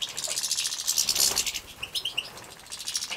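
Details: Captive-bred European goldfinch chicks being fed in Poland, 2017: continuous high buzzy begging with a few clear piping chirps in the middle.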